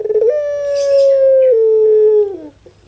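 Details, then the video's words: Puter pelung, a cared-for pet dove famed on Java, sings a long anggungan coo: a brief lead-in, then a level sustained note about two seconds, a small step down and a drooping end; faint chirps behind. "KONSER ANGGUNGAN PUTER PELUNG"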